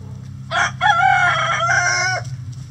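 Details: A rooster in the coop crows once, a loud harmonic call lasting about a second and a half with a brief opening note, set against a low steady hum.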